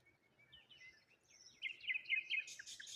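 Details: Cheerful morning chirping of birds at the waterside with rose hips and a lone tree; soft scattered notes build into a loud, busy trill of rapid high chirps.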